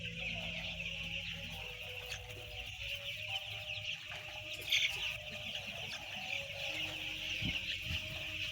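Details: White chicks, about ten thousand together, fill the air with incessant high-pitched peeping, individual cheeps lost in a bright overlapping chorus over a low steady hum.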